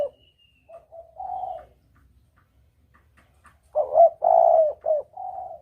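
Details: Spotted dove coos, recorded clear for luring birds when hunting. Faint scattered coos give way to one strong phrase: a clipped double note, a long smooth coo, then a short coo and a softer tail.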